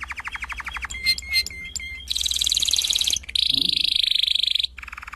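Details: Canary song from a 2016 singing disc: a fast rattling trill of rising notes, then a few sharp, clipped whistles, a dense buzzy high tour and a long, steady high-pitched trill, with a low hum underneath.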